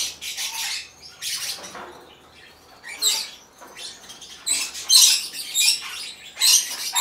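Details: A hand-tame baby cinnamon Green-cheeked conure in Fukuoka, Japan, recorded 14 October 2023, gives harsh, raspy, hissing bursts at an irregular pace, roughly one every second or two, with some quieter chatter between them.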